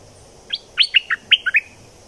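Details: Bulbul from southern Thailand giving a quick bubbly phrase of about seven short, liquid whistled notes, rising and falling over about a second, against a quiet background; played to excite birds.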